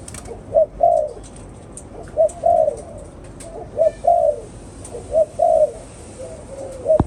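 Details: Spotted dove calling in paired phrases, a short hoot followed by a longer slurred coo, the pair repeated about five times over seven seconds with gaps between, ending with a sharp click.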